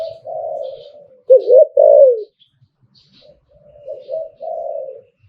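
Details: Spotted dove, a kept bird cooing in the หลิ่วตัน (liu tan) song style: low hollow coos, one soft drawn-out phrase, then a loud two-part coo, then another softer wavering phrase. No other sounds.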